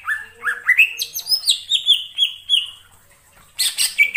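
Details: Greater green leafbird in the wild forest: a series of rising whistled notes climbing step by step, then a level trill of repeated slurs, a brief quiet, and a final harsh buzzy chatter.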